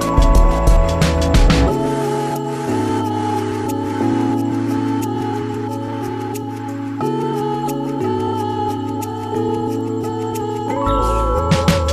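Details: Soft new-age music with sustained low drones and ringing tones plays throughout; no animal sound is heard.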